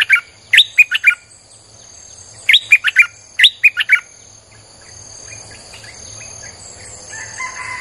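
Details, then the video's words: Streak-eared bulbul song played to lure wild birds, three quick phrases of four or five liquid chirps in the first four seconds, then softer scattered notes and a high steady hum. "เสียงนกดอกแตงEp.159จ้าวขุนศึก สับดอกแบบไม่พัก!!ใช้เปิดล่อนกป่า Suara pikat merbah lekir"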